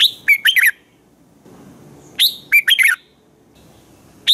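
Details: Red-whiskered bulbul singing in the morning, used to train other bulbuls to sing: two bright, quick phrases of four or five whistled and chirpy notes, separated by a pause of about two seconds over a quiet background.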